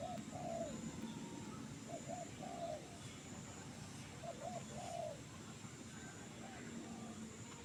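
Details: Trained bird in a jengkol tree singing actively: mellow, low coo-like notes in short phrases, each a quick pair of hoots and a longer wavering note, repeated several times over steady rural background rumble.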